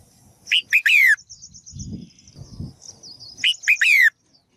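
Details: Female bird calling to stimulate males to sing: two loud bursts of harsh, buzzy chirps, each ending in a descending note, about three seconds apart. A thin high twitter runs between them over a low rumbling background.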